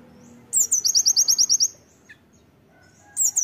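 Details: Oriental white-eye singing a loud 'tembakan' master song for training: a downslurred intro and about ten fast, high, ringing notes, a faint lone chip, then another burst starting.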